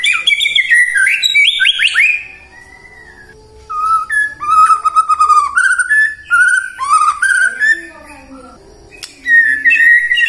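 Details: White-rumped shama lure song for morning, midday and afternoon singing: loud rising whistles, a pause, then a rapid sequence of varied whistled notes with clicks, ending on a sustained whistle.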